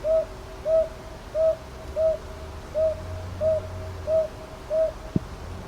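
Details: Northern boobook hooting in Ichijoji, Sakyo Ward, Kyoto, Japan on 22 May 2023, recorded with a TASCAM DR-100MKIII; eight soft paired hoots at an even pace, then a sharp click near the end, with low rumble beneath.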